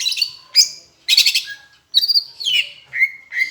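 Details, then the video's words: Tutor song of a Greater green leafbird from Palembang mimicking Asian brown flycatcher, with high buzzy chatter bursts followed by short, clear whistled notes. "Masteran cucak hijau rasa sikatan londo"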